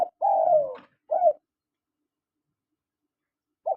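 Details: Male and female spotted doves calling: one long, gently falling coo, then a short coo after a brief pause and another coo near the end. The setting is quiet.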